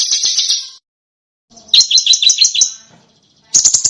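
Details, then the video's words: High twittering of a small bird, from a master recording meant to teach contest birds new sounds: a short dense trill, a pause, then a row of fast doubled chirps and a brief closing burst. "Suara BURUNG KECIL !!! MASTERAN BURUNG KECIL TEMBAKAN TAJAM DAN SUPER PEDAS"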